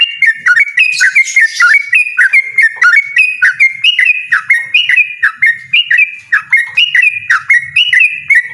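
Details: Yellow-vented bulbul singing a loud, persistent 'ropel' style song: a fast, unbroken string of short whistled notes, each flicking sharply up or down, about three or four per second, with a clean, quiet background.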